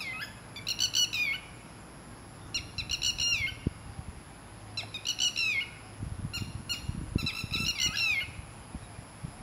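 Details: Two red-wattled lapwings living in a garden, which attack when approached too closely, give loud, strident bursts of three to five sharp, slightly falling notes every second or two, with a steady high whine and low wind rumble.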